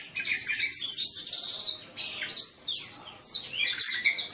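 Black-throated canary singing a fast, continuous run of bright twittering and trilled notes, high-pitched, in three long phrases with brief pauses between.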